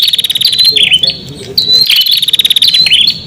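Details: Prinia lure song meant to attract wild prinias: fast, dry, high-pitched stuttering trills broken by sharp downward-sliding chips, continuous and loud over a faint low background rumble.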